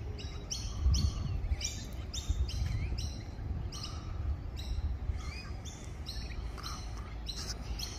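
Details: Rainbow lorikeets in Australia, seen at close range: harsh, buzzy chattering notes in rapid bursts, several birds calling over one another, with low background rumble.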